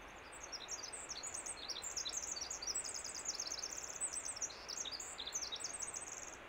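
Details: Spring song of a winter wren on Vancouver Island: an extended, fast stream of very high tinkling notes and bubbly trills lasting over six seconds without a break, above a constant soft hiss.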